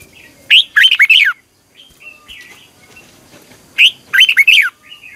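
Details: Red-whiskered bulbul in morning song practice for singing contests, giving two bright bursts of fast, slurred whistled notes with a soft trill between them and low background murmur.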